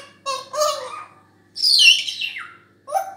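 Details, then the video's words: African grey parrot gives two harsh, nasal squawks, then a clear whistle sliding down in pitch, finishing with a brief rising note. "African Gray parrot"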